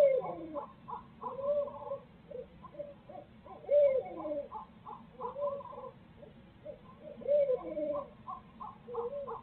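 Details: Barred owls at a Midtown Tulsa nest where both parents share duties; rhythmic bursts of excited cackling hoots and upslurred wails, peaking roughly every four seconds, two birds calling together.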